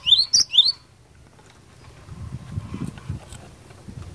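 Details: Cinereous tit in fighter-style song aimed at making rivals answer: three bright, high whistled notes in under a second, then quiet with a low rumbling background.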